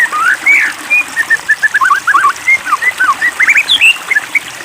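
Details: White-rumped shama song after provocation: a quick chain of short whistled and warbled notes, slurred up and down, delivered in rapid varied phrases.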